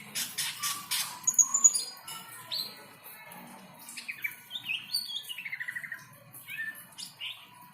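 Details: Greater green leafbird in breeding condition after a rain bath, singing a varied, fast medley of chirps, sweeping whistles and a descending rapid trill of chattering notes, with some broadband rustling at the start.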